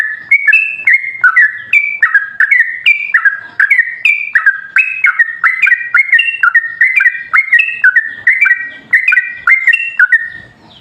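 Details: Energetic lure song of a yellow-vented bulbul, meant to set other bulbuls singing; dense, continuous chains of warbled whistled notes with crisp onsets, jumping up and down in pitch for the whole stretch.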